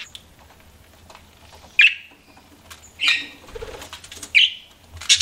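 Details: Pet budgerigars give sparse, short squeaky chirps about once a second, separated by quiet gaps with faint background rustling.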